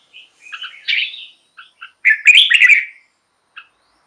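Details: Red-whiskered bulbul singing, a recording for rousing caged birds or attracting wild birds: a few soft chirps build to a warbled whistle, then a louder bubbly phrase, ending with a single short note.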